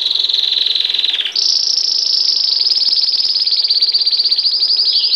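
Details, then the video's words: Belgian canary singing campainha, bell style, opening on a lower rapid rolling trill that leaps to a higher, shimmering trill held for nearly four seconds. "Canário belga cantando muito campainha"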